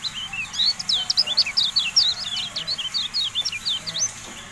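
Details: Kecial kuning, or Javan white-eye, used as tutor audio for caged birds: a rapid, continuous run of high, sharp chirps and twisting whistled notes with no pause.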